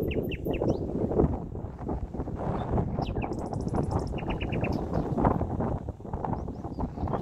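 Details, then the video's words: Hidden common nightingale in Holland, spring 2019, singing scattered phrases: quick paired whistles, a high dry rattle, then a short series of repeated mid-pitched notes, all half-buried under loud, constant low rumble of wind or traffic. "Nachtegaal, je ziet 'm niet, maar hoort 'm wel!"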